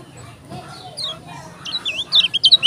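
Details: Kecial kuning of Lombok: a quiet, murmuring start, then a loud, quickening run of sharp, high, bending whistles at the end.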